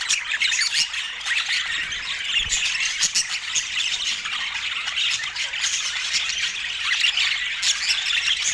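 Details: Many pet budgerigars calling at once: rapid, scratchy squawks and twittering chirps layered into a constant high-pitched din, with faint knocks in the background.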